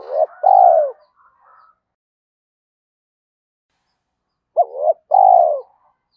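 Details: Spotted dove calling to provoke wild doves into answering; a hollow coo opens the clip, then after a long silence a clipped two-note lead-in followed by a drawn-out, gently descending coo.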